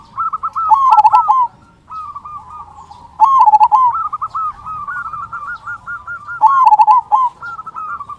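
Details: Local zebra dove in full song with a big 'kung' voice, used as a lure to set other zebra doves singing: three loud rolling cooing phrases about three seconds apart, softer trilled coos filling the gaps, faint clicks throughout.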